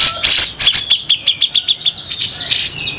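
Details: Grey-cheeked bulbuls, local and Sumatran, give coarse besetan song: a fast string of sharp, scratchy chirps about three a second, closing in dense high buzzing chatter.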